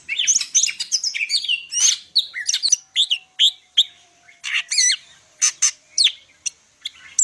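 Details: Cucak ijo, the greater green leafbird, of Medan type, singing a loud, busy medley of whistles, rising and falling slurs and harsh chatter, with brief gaps between phrases and a faint steady tone beneath.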